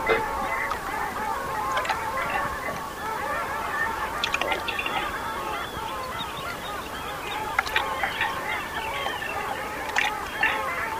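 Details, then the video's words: A resting flock of long-tailed ducks with common eiders on the foggy Bothnian Sea near Räyhät, Finland, on 30 April: a dense chorus of nasal, yodelling calls overlapping continuously, with brief sharper notes rising above the murmur. "Choir of long-tailed ducks"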